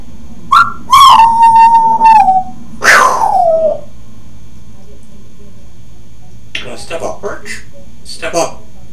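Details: Grey parrot (Psittacus erithacus) that talks and laughs in a human voice: loud rich whistled notes, a long level whistle then a falling nasal cry, then softer chattery voice-like mimicry after a pause.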